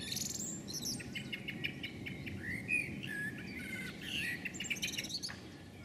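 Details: A female common blackbird scolds from a house roof with sharp, high chinks and chattering notes in quick bursts, over a steady low rumble, before flying off.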